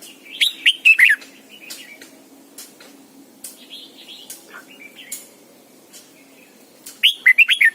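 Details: Red-whiskered bulbul, a caged lure bird singing its morning double-note forest-style song to train others: loud warbled bursts of four to five quick notes at start and end, soft chattering notes between.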